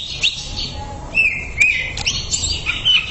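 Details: Greater green leafbird, a cucak ijo master-song recording for training, with varied whistled phrases and sharp chirps around high pitch, slurred notes and brief clicks over a steady low hum.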